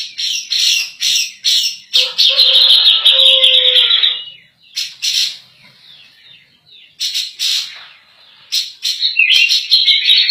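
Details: Grey-cheeked bulbul (cak jenggot) in lively 'gacor nembak' song, kept as a master recording for teaching other birds. Rapid high chattering bursts with a long bright trilled stretch near the start, pausing midway, then sharp clicking bursts resuming.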